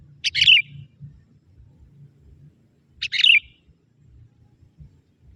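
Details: Young sooty-headed bulbul from the forest calling to draw in wild bulbuls, giving two short gurgling chirp phrases about three seconds apart, otherwise near silence.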